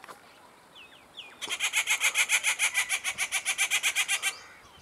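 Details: A breeding rufous treepie (Dendrocitta vagabunda) near its nest and chick gives a few soft whistled notes, then a harsh, rasping chatter of about twenty notes at roughly seven per second.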